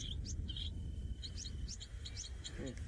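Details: Winding Cisticola in the Masai Mara at sunset, 1 October 2017, giving quick, high chirps and short sweeping notes in bursts, over a low rumble, a thin steady insect-like whine and a brief spoken voice.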